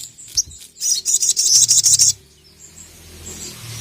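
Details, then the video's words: Sogon, the ruby-cheeked sunbird, challenging a rival on a training recording: a quick, very high, chattering trill lasting over a second, over a low steady background hum. "SOGON GACOR NGERIWIK LANGSUNG BONGKAR EMOSI dengar masteran burung sogon gacor memanggil lawan ini"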